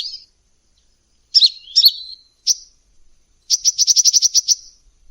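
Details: Lure call of a lively, vocal hummingbird: a few squeaky, slurred high notes with gaps, followed by a rapid, even burst of about ten sharp chirps.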